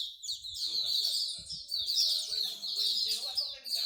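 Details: Songbirds at a bird singing corner in Singapore, a favourite pastime of bird lovers: dense, continuous high chirping and twittering trills overlapping throughout, several birds singing at once, with faint low voices and thuds underneath.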